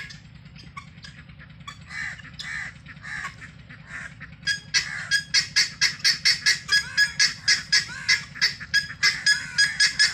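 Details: Helmeted guineafowl foraging free range: a few spaced nasal, grating calls, then from midway a loud, rhythmic series of harsh chattering notes about twice a second, over a constant low hum.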